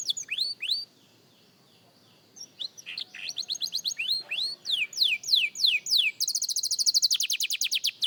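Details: Young canary in singing practice: a few slurred notes, a brief silence, then varied whistled phrases building into repeated falling slurs and finishing with a rapid, rattling trill.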